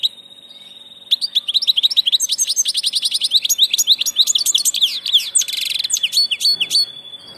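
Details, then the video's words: Migrating goldfinch delivering a long, rapid, fluent warble of high tinkling notes and slurred twitters, ending with a buzzy rasp and downward-swept chirps. "Jilguero del paso"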